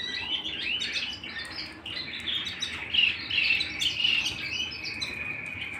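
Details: Canary singing at home: busy, twittering warble of quick rising and falling notes, with a few brighter accented whistles and a lower steady trill toward the end.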